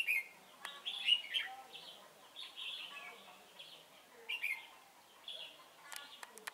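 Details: A red-whiskered bulbul serving as a trapping decoy at Chùa Hương, 28 November 2017, delivers spaced-out short whistled phrases, bright and slightly slurred, with intermittent clicks and light background rustle.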